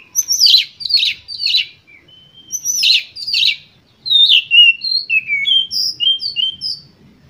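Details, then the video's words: Oriental magpie-robin singing a full-emotion lure song to provoke other birds: repeated loud rasping bursts in pairs, then a rapid run of clear, varied whistled notes climbing and falling. "Pancingan Kacer Gacor Full Emosi"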